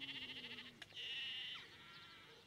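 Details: An adult rosy starling at Lizard Village, Cornwall, gives a quick buzzy rattle, a sharp click, then a long, steady, nasal wheeze that trails off with a falling slur.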